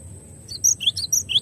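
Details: Cinereous tit (glatik batu) in a clear tutor recording. After a quiet start come four short, high whistled notes, each dropping sharply in pitch. A faint steady high tone runs underneath throughout.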